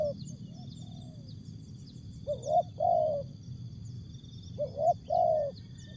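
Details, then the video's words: Asian spotted dove in jergot, tapau and bungkus song, sounding two paired low coos, a brief upswept note then a drawn-out hollow one, about two seconds apart, with a continuous thin high whine and dull background rumble. "Jergot,Tapau, Bungkus Burung Tekukur/Terkukur"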